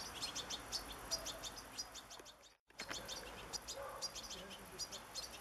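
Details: Juvenile goldfinch begging for food on 27 August 2014, given sunflower seeds: fast, high-pitched squeaky chirps in a running series, broken by a brief silent gap midway, with soft background noise.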